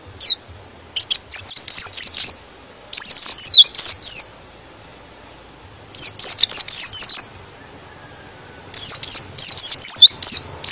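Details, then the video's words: White-eye song meant to make rival white-eyes excited and sing along: three separate bursts of rapid, high twittering, each about one to one and a half seconds of sliding chirps, divided by quiet gaps. "Suara Pleci ini bikin Pleci Lain Emosi dan ikut Gacor"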